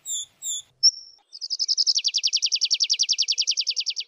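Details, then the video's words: A tree pipit gives a few clear notes and a thin whistle, then launches into a long, evenly spaced fast trill of repeated downslurred notes, about five per second. "tree pipit sound صوت جشنة الأشجار"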